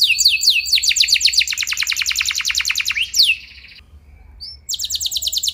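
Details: Canary song used to provoke other canaries into singing: fast trills of sharp descending notes repeated rapidly, high and bright, changing tour after about three seconds, a short pause, then another rapid trill.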